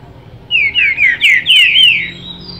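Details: Captive rufous-bellied thrush singing and answering another bird nearby: a short burst of clear, slurred whistled phrases, each rising then falling, about five notes in quick succession.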